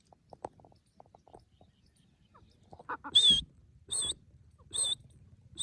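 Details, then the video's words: Grey francolin calls, as used for hunting; faint clicks and rustles, then loud, sharp, high-pitched notes repeated about every three-quarters of a second. "Grey francolin bird sounds hunting"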